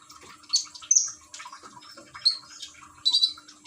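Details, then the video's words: Common iora in a cage in Gresik, East Java, recorded on an Android phone with gurgling water nearby; scattered high whistles and chirps, several sharp notes, over a noticeable watery murmur. "Burung konin rajin bunyi dengan terapi gemercik air"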